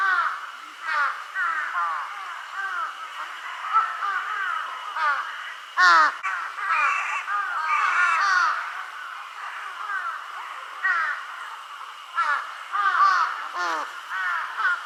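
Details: A flock of mostly young crows, possibly calling for their parents, gives weak-sounding calls: many overlapping hoarse, slurred caws form a continuous chorus, with a few louder calls breaking through.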